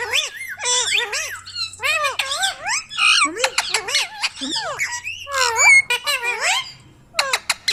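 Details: Ringneck parrot speaking in a rapid string of shrill, word-like syllables with sweeping pitch, interspersed with sharp clicks and squawks, ending after a short pause with a few crisp notes.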